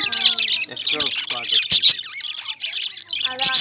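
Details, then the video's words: Lovebirds, described as Indian, squawk and chirp in a busy flock chorus of shrill notes, while lower voice-like tones and music sound in the background during the first two seconds. "Love Birds Chirping"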